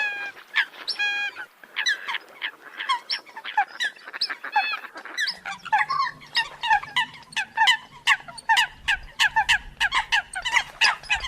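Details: Many Eurasian coots calling together, loud nasal honks and clipped squawks in quick uneven succession, with a low hum entering halfway through.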